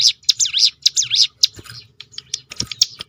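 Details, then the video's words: Brief hill prinia 'tembakan' roll, used to coax other birds to sing: a few loud, high, V-shaped chip notes, followed by scattered fainter clicks and chips. "roll tembakan ciblek gunung memancing bunyi burung lain"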